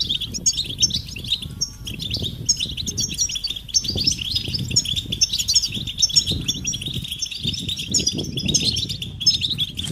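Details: European goldfinch mating calls said to bring males out of silence: continuous high, liquid twittering with sharp tinkling notes, a short lull near the middle, and low rustling thumps beneath.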